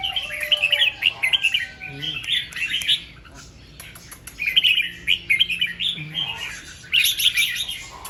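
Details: ["Red-whiskered bulbul singing the doubled 'rik' song two to three times in the morning. Three bursts of chattering warbled phrases are separated by short pauses, with faint lower whistles and a low background hum."]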